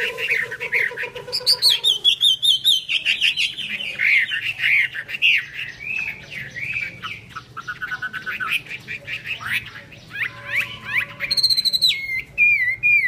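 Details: Chinese hwamei in hót xòe singing, showing an eagle-wing display: long varied song opening with a steady low whistle, then rising slurred phrases, rapid trills and a high sliding note near the end, with faint background hiss.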